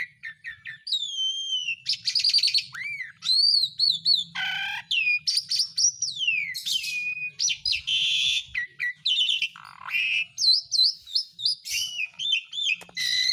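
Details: Asian pied starling song used as a lure to get lazy or silent birds singing again: a rich, varied run of clear whistles, rising and falling slurs, and short chattering notes delivered in quick bursts with brief pauses.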